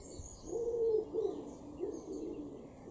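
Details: A Common Wood Pigeon in a garden in Norden, East Frisia, northwest Germany, in April 2021, gives soft, low, hooting coos, one drawn-out note followed by a shorter one, over a faint background hiss.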